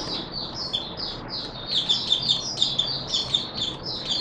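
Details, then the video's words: Oriental white-eye (Mata Puteh Raja) opening song, 24 March 2022: softer high twittering phrases running almost without pause, partly masked by a steady broad background hiss. "Mata Puteh Raja Video 1 buka sing"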